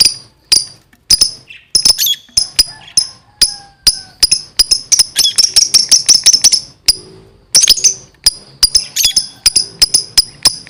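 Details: Lovebird singing in energetic gacor style: sharp, shrill high chirps repeated rapidly in steady runs, several per second, with brief pauses and a few denser bursts, over a quiet background.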